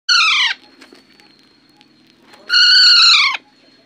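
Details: Parrot giving two loud, harsh, nasal screeches, each about half a second to one second long and flat in pitch, with a quiet pause of two seconds between them. Faint clicks are heard in the gap.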